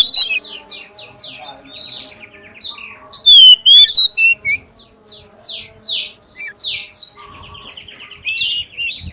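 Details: Clear-voiced black-breasted oriental magpie-robin delivering a lure song to get other magpie-robins singing: a long, busy series of sharp downslurred whistles, buzzy notes and brief twisting phrases, with a brief loud whistled flourish midway.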